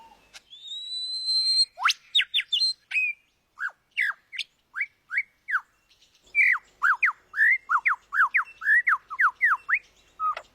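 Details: A bird with varied odd sounds: a drawn-out rising whistle, then a string of short sharp downslurred whistles, grouped and repeated about twice a second.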